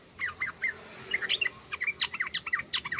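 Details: Yellow-vented bulbul in rapid chattering song, a dense run of short, bright, slurred chirps in quick succession over about three seconds, with a faint hiss behind.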